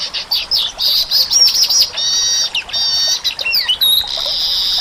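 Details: Weaver singing energetically in Indonesia: a dense, high-pitched run of chattering twitters, buzzy trills and squeaky whistled notes, shifting quickly before ending in a long steady buzz.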